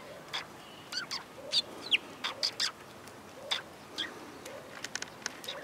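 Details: Sparrows heard along a route in Japan on 22 April 2022: short high chirps and sharp tweets come in quick irregular bursts, several birds calling over steady background hum.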